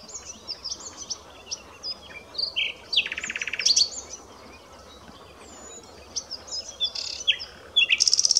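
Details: Common nightingale delivering varied phrases: short high chirps, a buzzy rattling burst, pauses, then more scattered notes and a final fast rattle.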